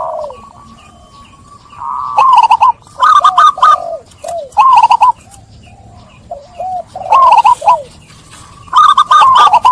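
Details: Zebra dove lure song for stressed, trap-caught birds that stopped singing: short soft coos alternate with loud clusters of three to four ringing arched notes, repeated roughly every two seconds.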